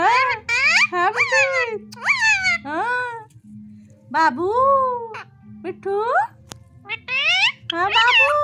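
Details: Talking parrot, a tota said to say "papa": a run of short voiced, rising-and-falling syllables, about a dozen in eight seconds, with quiet gaps between, over a steady background of music.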